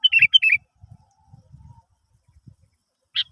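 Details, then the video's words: Sooty-headed bulbul singing, played to prompt other birds to sing: two fast, chirpy, gurgling notes opening the clip and a lone sharp note near the end, with scattered low knocking sounds between. "Pancingan Burung kutilang"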